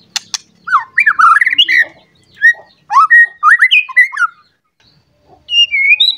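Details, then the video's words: Agitated white-rumped shama seeking a rival, delivering bursts of clear looping whistles and rapid warbled phrases separated by short pauses, a sharp click opening the sequence. "Pancingan Murai Batu Emosi Mencari Lawan Bikin Murai Lain Langsung Emosi Bongkar Isian"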